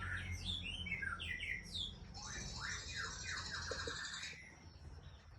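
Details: Murai Aceh, an Aceh white-rumped shama breeding parent, giving a short series of descending whistled slurs followed by a harsher, buzzy rattling stretch, heard fairly faintly over a low background hum.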